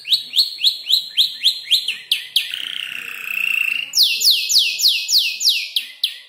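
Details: Young canary about five months old, arranging a song from mimicked tutor birds like ciblek and prenjak lumut: quick repeated downslurred notes, a sustained buzzy tone, then a fast run of bright descending whistles.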